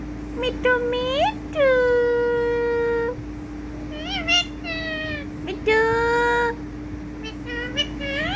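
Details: Ringneck parrot talking indoors: short rising nasal syllables, then a long, level, harmonic drawn note of about a second and a half, more brief chattering syllables and another sustained tone, all over a steady mechanical hum.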